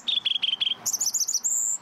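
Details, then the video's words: Sunda robin (teledekan or sulingan, a songbird kept for its loud, melodious fluting voice) sings a brisk run of five clear, mid-high chirps, then a rippling series of higher whistles ending in one long, thin whistled note. "Selain suaranya yang keras dan merdu, burung teledekan juga memiliki bulu yang indah sehingga sangat cocok untuk dipelihara di rumah."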